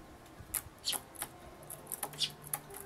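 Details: A hoarse, weak-voiced young sparrow, possibly tired from long calling for its parent and begging for food, gives thin, high, squeaky chirps about two per second, uneven in pitch, over a quiet hum; July 2011.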